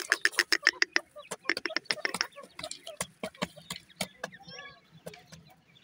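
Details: Grey francolin (teetar) chicks feeding at night: a rapid run of sharp clicking pecks, about three to four per second, mixed with short high chirps and soft peeps, louder at the start and fading toward the end.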